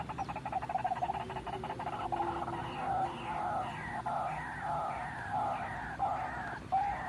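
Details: White-breasted waterhen lure call for trapping: fast pulsed chatter fading into varied, drawn-out nasal notes that bend up and down, repeated irregularly, ending in a sharper note.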